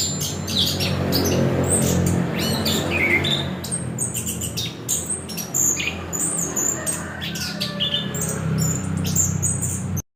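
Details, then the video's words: Orange-headed thrush producing rapid high, scratchy chirps and brief whistles in a steady stream against a loud low hum. "Ternyata begini suara burung anis kembang"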